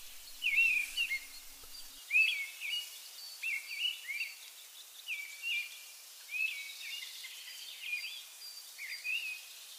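Mistle thrush song: short, fluting phrases repeated with brief pauses, clear and slightly wistful, high and even in pitch, over a faint background hiss.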